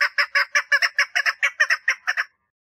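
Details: Female chukar partridge mating call: a brisk burst of about a dozen rough, doubled chuck notes that stops abruptly, followed by silence.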